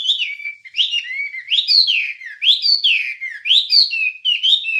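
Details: Wambie singing on a master recording for songbird training. Loud, looping whistled phrases rise and fall, with a rolling figure repeated about once a second. The delivery is continuous and clear, with no other sounds.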